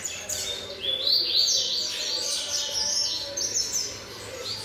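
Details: A young double-collared seedeater, seven months old, delivers a very fast song of high sweeping whistles and slurred notes running together in a steady stream.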